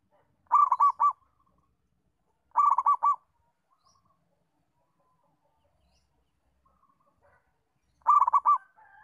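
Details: Settled song of a local zebra dove recorded to help other doves learn: three short, gurgling coo phrases of four or five notes, with a long gap before the last one, otherwise quiet.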